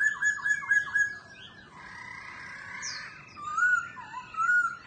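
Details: A pet laughingthrush sings and dances, tail spread. A quick series of repeated whistled notes opens, then a buzzy sustained passage follows, and rich, loud whistled phrases close it.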